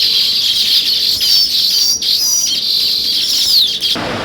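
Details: Constant high chatter from a group of sparrows, with a couple of thin downward-sliding whistles mixed in before the noise cuts off abruptly.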